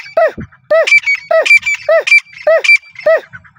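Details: Partridge repeating a ringing, arched call note about every half second in a steady, insistent series, with thin higher chirps between the phrases.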